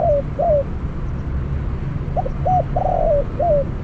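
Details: Caged spotted dove acting as a decoy for trapping ends one phrase with falling notes, then repeats clipped notes, a long burred coo and a down-slurred finish. Low background rumble.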